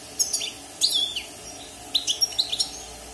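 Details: Caged wild European goldfinch singing after its moult, six months in the cage: a short high twitter, a slurred falling whistle, then a rapid string of sharp tinkling notes.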